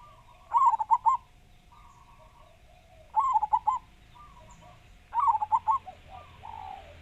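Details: Zebra dove (local perkutut) cooing three times in about seven seconds, each phrase a long note and three to four rapid coos, with softer distant dove coos answering in between.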